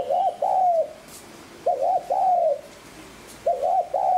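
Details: Spotted dove coo used as a lure for wild doves: loud, close phrases each made of two short bouncing notes and a longer downward coo, three phrases in four seconds.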